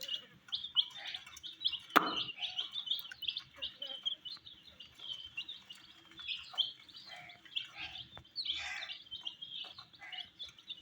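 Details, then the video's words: Group of dyed chicks eating wheat, chirping in a lively overlapping stream of shrill peeps; one sharp tap stands out early, with scattered pecks throughout. "Colors MURGI baby Chicks are eating "wheat Challenge" with "Chicks Chirping" Sounds"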